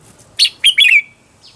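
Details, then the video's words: Caged red-whiskered bulbul decoy singing to attract wild bulbuls: three quick clear notes, the last a longer liquid whistle sliding downward, then silence. "Chào mào mồi gọi bổi"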